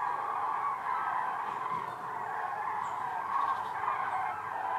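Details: Thousands of Common Cranes migrating in October over central Germany, Hessen, on their flight path to southwest Spain: a dense, continuous chorus of overlapping trumpeting calls from a flock overhead.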